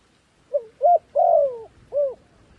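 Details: One cooing phrase from a decoy dove calling wild doves: a soft lead-in note, a short coo, a long slurred coo sliding downward, then a final rounded coo.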